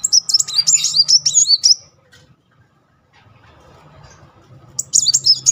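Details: Singing muncang sunbird, played as a lure to restart a stalled bird: nearly two seconds of quick, high, looping whistled trills, a long hush with faint low murmur, then the trill resumes.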